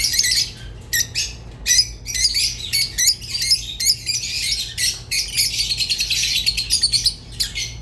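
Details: Rosy-faced and Fischer's lovebirds singing in choppy clusters of shrill, clicking squeaks and whistles, with short silences between bursts that run together near the end.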